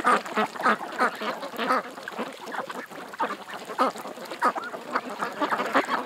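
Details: Many ducks at a creek, quacking in a dense, overlapping chorus of short harsh calls, several each second with irregular spacing, with no pause across the stretch.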